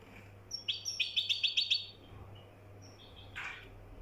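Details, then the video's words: Moroccan European goldfinch giving a short series of about seven rapid, evenly spaced high chirps, followed by a few faint scattered notes and a brief noisy burst over a low hum. "طائر الحسون المراكشي"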